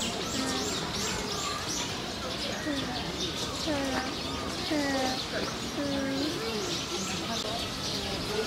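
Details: White-naped cranes at Oji Zoo, Hyogo, Japan, on 27 October 2019 give a series of short, slurred, rising trumpet notes about once a second, over a steady hum of voices and background noise.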